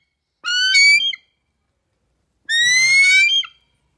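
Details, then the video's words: A trained male bald eagle used for airport bird control, in North Vancouver, British Columbia, on August 2, 2019, gives two drawn-out, high squealing calls, each rising slightly in pitch and lasting about a second, with a pause of over a second between them. "Outspoken Bald Eagle"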